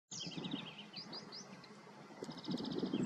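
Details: Western yellow wagtail (Motacilla flava) in Galicia, Spain, giving thin, high, sweeping call notes in quick bursts, with other faint chirps over a steady low rumble of wind or distant traffic.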